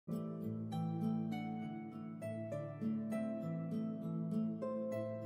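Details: Plucked-string music, harp- or guitar-like notes in a gentle repeating pattern, with no animal sound.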